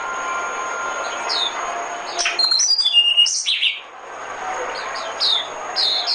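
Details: Oriental white-eye decoy recording: bright, high whistled notes and rapid twittered phrases in bursts, a louder warbling run in the middle, then scattered descending chips over background noise.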